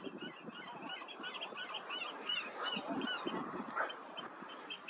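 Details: Several Eurasian oystercatchers call very loudly together while dancing in groups to win a partner, some of them fighting. A dense chorus of shrill, quickly repeated piping notes sounds throughout.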